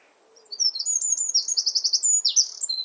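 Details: Garden Eurasian wren near its nest delivering a burst of song: high piercing notes sliding into a rapid pulsed trill, then a falling flourish, all packed into under three seconds.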